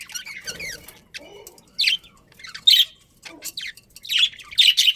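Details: Budgerigars in a breeding colony with a breeding pair, giving scattered high chirps and short squawky notes in bursts separated by quiet gaps, with a few lower muttering sounds.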